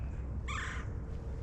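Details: Red-bellied Woodpecker among about four birds fighting fiercely at Mill Pond Park on a freezing winter day: one harsh, rolled call with a stack of bright overtones lasting about a third of a second, over low wind rumble.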